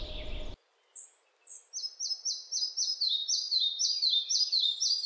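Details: Red-breasted flycatcher song: a run of high, clear repeated notes, similar to the pied flycatcher's at the start and middle, then slower and falling toward the end.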